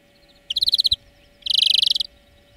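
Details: Greenfinch song lesson for training birds: a quick series of about eight ringing trilled notes, then a denser, louder rippling trill lasting half a second.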